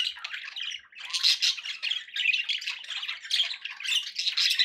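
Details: Group of pet budgies calling together, relaxing background recording; constant scratchy warbles and sharp squawks blend into a continuous chorus with rising and falling bursts.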